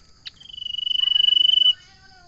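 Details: Common iora (local name cipow) delivering one sharp note followed by a long, even, high trill that swells in loudness over about a second and a half, then stops abruptly.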